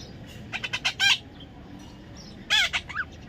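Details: Baby parrot, described as natural and funny, possibly an Indian ringneck: two bursts of harsh, raspy squawks with short falling and rising notes, the first a run of four quick squawks ending in a louder rasp.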